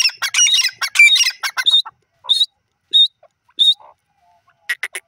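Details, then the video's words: Grey francolin giving a burst of harsh, high chattering notes, then a few separate short squeaky notes with gaps between them, and a brief final flurry. "teetar ki awaaz videos grey francolin bird sound"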